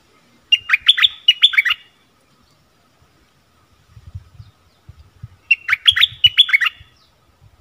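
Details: Wild stripe-throated bulbuls answer a caged bird on 1 April 2021, apparently tending chicks in a nest. Two rapid phrases of five or six liquid, rising-falling whistled notes, several seconds apart, with soft low thumps between them.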